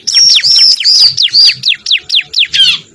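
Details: Bar-winged prinia call played as a lure for birds: loud, high whistled notes, each starting level then dropping sharply, repeated about three to four times a second over three seconds.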